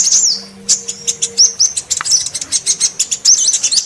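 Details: Female sunbird calling as bait for males: scattered high, thin chips and short upslurred whistles that turn into quick, evenly pulsed twittering, over a faint low hum.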